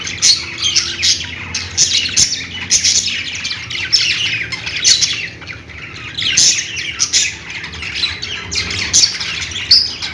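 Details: Budgerigar flock in lively chirping: overlapping warbled squeaks and harsh chatter, dense and unbroken, with a faint steady hum behind.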